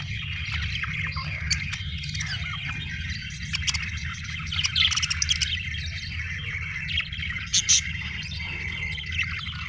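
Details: Budgies chatter steadily in scratchy, warbled phrases broken by bursts of quick high chirps, against a low continuous hum.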